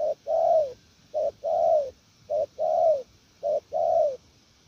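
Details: Decoy spotted dove repeating its 'gù lèo' call: three clear pairs of a short coo and a longer, falling coo, about one pair every 1.2 seconds, with nothing else audible.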